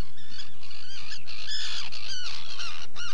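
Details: Common terns (Sterna hirundo) in the UK, several birds calling together with harsh, grating, downslurred calls that overlap in quick succession over a low background rumble.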